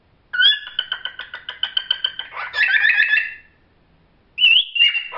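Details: A pet cockatiel sings a fast run of clear, repeated whistled notes, then a warbling phrase and a rising whistle.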